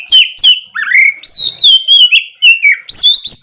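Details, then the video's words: Loud ngeplong-style morning song of an oriental magpie-robin, used to coax idle birds to sing: a rapid string of clear whistled notes, slurred downward swoops and sharp chips, continuous and energetic. "terapi pagi cocok buat mancing kacer malas bunyi supaya cepat gacor"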